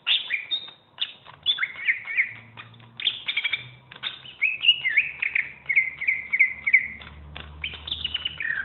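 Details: Champion greater green leafbird warbling vigorously, with tumbling slurred whistles, a run of repeated downslurred notes near the middle, and a faint low hum in the background; used as master song and therapy for other birds.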